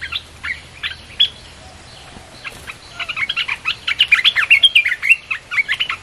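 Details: Red-whiskered bulbul song, played to lure wild birds: scattered chirps at first, then a dense, lively stream of quick whistled notes that grows louder toward the end.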